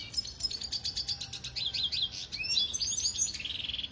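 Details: Red siskin from Venezuela singing a training song, fast high chattering that breaks into warbled rising and falling twitters and ends on a buzzy trill.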